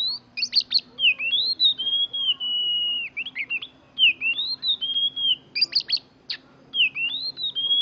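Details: Young oriental magpie-robin, a cage bird just past its juvenile plumage, singing mimicked canary rolling song: repeated phrases of sharp high clicks followed by a long drawn-out whistle, the pattern recurring roughly every two to three seconds.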